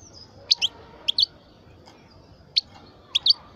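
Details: Twelve-year-old European goldfinch of the parva subspecies, a kept bird, giving sparse, short, high-pitched chirps, mostly in pairs, separated by pauses of about half a second to over a second, against a quiet background.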